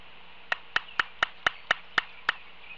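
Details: Laysan albatross on Kauai, 13 March 2018, practising courtship dancing, as young and non-breeding birds do to form pair bonds, rattles off eight sharp, dry bill clacks, about four a second, over faint background hiss.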